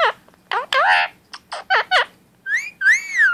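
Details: Pet male Indian ringneck parakeet doing random talking: choppy speech-like syllables, then two long rising-falling whistled notes, indoors.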